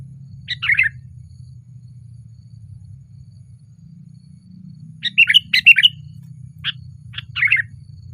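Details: Sooty-headed bulbul perched on a branch, singing loudly: two brief clusters of bubbly, slurred chirps separated by several seconds of quiet, over a steady low hum.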